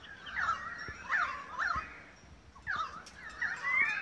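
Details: Australian magpies carolling in Beverly Hills, Sydney, Australia, during August 2015: repeated swooping, downward-gliding fluted phrases in bursts roughly every half second, with a brief lull midway and a rising whistle at the close.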